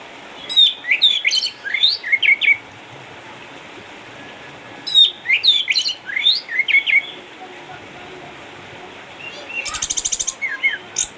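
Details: Eight-year-old caged orange-headed thrush from Sukabumi, once a champion, retired from contests by cataracts, delivering two bursts of quick chirps and sweeping whistles separated by a pause, ending with a rapid buzzy rattle and twitters.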